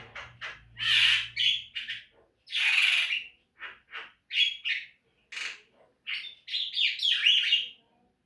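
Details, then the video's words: Caged Javan myna singing in a training recording meant to make caged birds sing: harsh squawks, chattering bursts and short whistled notes in an irregular series, with a faint low hum during the first two seconds. "Masteran jalak kebo agar rajin bunyi"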